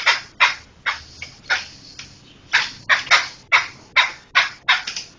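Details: Laughingthrush song used as a tutor recording for training other songbirds: a run of about a dozen harsh, raspy, broadband bursts, each short and loud, repeated roughly every half second with brief quiet gaps.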